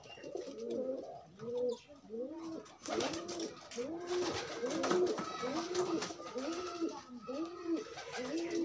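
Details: Courting pigeons, loose rather than confined, repeat deep, throaty coos in looping arcs roughly every second, a rhythmic rolling pattern with crackling rustles through the middle.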